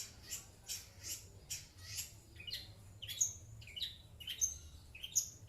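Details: Long-tailed shrike kept as a pet, answering coughing, gives repeated thin, high chirps roughly every half second, some with sharp rising squeaks, over faint background hum.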